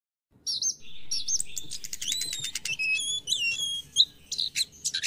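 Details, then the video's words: An Orange-headed Thrush sings a fast, varied run of high sweet whistles, trills and sliding notes, phrases changing every second, over faint low hum; a morning recording used to stimulate other captive thrushes to sing. "PANCINGAN ANIS KEMBANG DI PAGI HARI"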